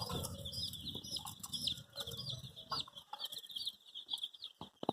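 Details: Soft, high chirps from many young chicks dyed in bright colours, looking for the hen; rapid overlapping peeps over low rumble early on, quieter toward the end with a few knocks.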